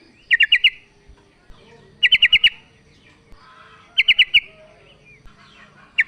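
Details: A female sooty-headed bulbul calls to a male, played as a lure to stir lazy males into song. Tight clusters of four sharp chirps repeat about every two seconds, with one lone note at the end.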